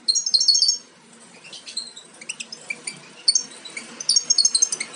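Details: Nestling European goldfinches nearly ready to fledge, captive-bred: a loud burst of rapid high twittering opens, then sparse thin chirps, ending in another quick series of sharp high notes.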